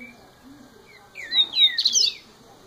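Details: Young double-collared seedeater in its first year of life singing: a short phrase of clear, slurred whistles, a few rising and falling sweeps that climb in pitch and end in a bright, twittering flourish after a quiet start.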